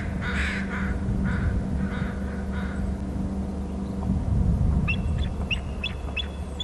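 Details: Both eagles of a pair call at their nest territory on Hornby Island, one soaring off to the right: a run of about six harsh notes half a second apart, then thin, high, squeaky chittering over a steady low rumble.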